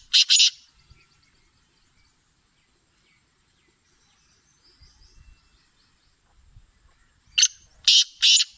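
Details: Black francolin, locally kala teetar, singing: one harsh buzzy burst, a long quiet gap with faint low rustling, then three grating, rasping notes in quick succession near the end.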